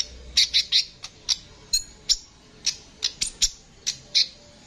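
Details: Kolibri ninja sunbird song used to tutor caged songbirds: strident, high squeaky chips in quick bunches, some doubled, repeated irregularly over several seconds.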